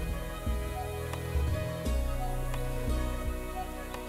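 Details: Slow instrumental music with deep bass notes and string tones, no animal voices.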